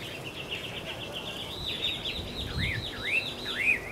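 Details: Taiwan hwamei recorded on 10 October 2013 at Caonanpo, giving a faint run of rolling, looping whistled notes that become swooping up-and-down phrases, over steady background hiss.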